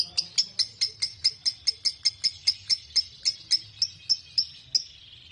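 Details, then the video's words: ["Lovebird ngekek song of the long 'konslet' kind, a lure for other lovebirds: crisp, clicking high notes at about four a second, evenly spaced, then fading into a brief softer trill before stopping."] "LoveBird Konslet Ngekek Panjang Terbukti Ampuh Pemancing Love Bird Ikut Ngekek"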